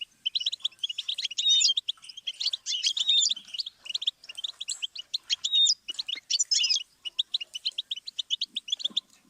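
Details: Goldfinch song from a series for teaching songbirds: crisp chirps repeated in fast runs, mixed with tinkling trills and whistled slurs, delivered in lively phrases with short breaks.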